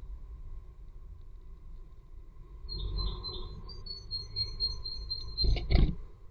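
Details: Tit at its nest: a thin, high string of short notes sliding slightly downward, followed by a brief burst of noisy rustling, over a low steady hum.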